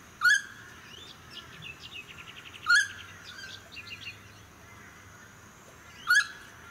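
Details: Noisy friarbird, suburban Sunshine Coast, Queensland, May 2018: three loud, harsh, nasal notes a few seconds apart, while another bird sings a rapid twittering trill in between over low suburban noise.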